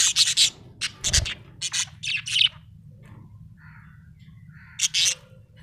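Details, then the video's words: Small parrot chirping: a quick run of sharp, high chirps in tight bursts over the first two and a half seconds, a quiet gap with a soft mid-pitched note, then two more bright chirps near the end. "Buetifull small parrot🦜chirping sound"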